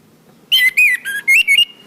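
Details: Orange-headed thrush singing on a cage-bird training recording. Five clear whistled notes, some rising and some falling, follow one another evenly in under two seconds.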